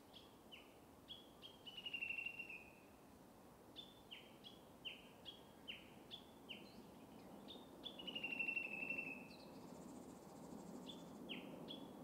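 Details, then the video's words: Japanese bush warbler (uguisu) singing in a bamboo forest: long steady whistles alternate with quick, repeated, descending high chirps, a few each second, over a soft steady rural background. "Japanese Bush Warbler (Uguisu) singing"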